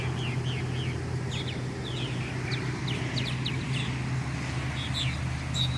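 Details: In a garden in late May 2017, purple martins nesting in gourds put up for them sing, as they do from about 4 a.m.: quick, gurgling chirps, several notes a second, over a steady low engine-like rumble.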